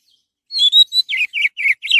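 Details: Orange-headed thrush singing, a recording used to lure other birds into song: one long clear whistle, then five rapid slurred notes that drop in pitch, each sharply separated.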